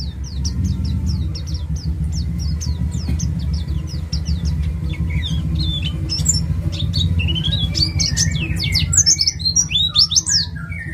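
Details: Ngalas white-eye from East Java used as a lure: long train of quick high chips, then a busy burst of fast slurred twittering near the end, over heavy low background rumble.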